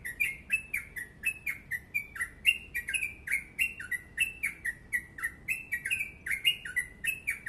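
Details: Yellow-vented bulbul delivering rapid, dense song (ropel panjang): steady stream of short sliding whistles, rising then falling, about three each second, each with a crisp high click, nearly silent surroundings.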